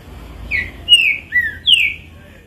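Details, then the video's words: Green-winged saltator singing alone on 22 April, just taken back from flying, no other saltators singing in the area: a quick phrase of four loud, clear, downward-sliding whistles in about a second and a half over a faint low hum. "Trinca ferro zero um mostrando oque sabe fazer!"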